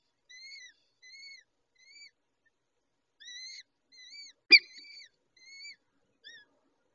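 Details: Peregrine falcon chicks during feeding by the adult female: thin, arched, wheezy squeals in short runs with a pause, then a single loud sharp click and more squeals.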